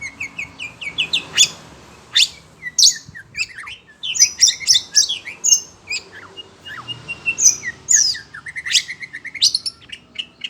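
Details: Kept Oriental magpie-robin (kacer), agitated on hearing other birds, pours out a loud, varied song: sharp high chips, whistled sweeps and rapid rattling phrases in quick succession, with no pause longer than a moment.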